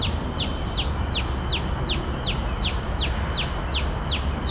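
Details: Common tailorbird, Bidadari, Singapore, calling in a brisk, regular series of loud, high, slightly descending chip notes, about a dozen in quick succession, over a low steady hum of background noise.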